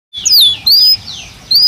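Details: Belgian canary singing naturally, a brief burst of clear whistled notes sliding down and then rising, in three short phrases separated by pauses.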